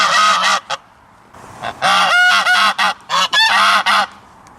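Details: Goose honking loudly: an opening blast, a short pause, then a quick series of brassy, nasal honks, a few breaking into higher squeaky notes, ending in a drawn-out honk.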